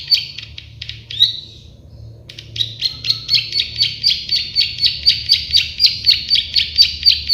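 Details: Prenjak sawah, the plain prinia, starting with scattered buzzy notes and a short gap, then a steady train of sharp clicking notes around four per second; low hum beneath.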